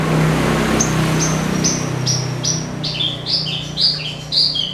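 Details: Javan bush lark song aimed at getting other birds to sing: short high whistled notes repeated about twice a second, turning into doubled chirps, over a constant low droning hum.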